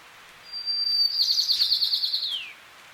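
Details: Golden-crowned sparrow singing in the Sierra foothills of California, USA: a high, clear whistled note that steadies, turns into a fast trilled stretch, then slides downward at the end, one phrase of about two seconds.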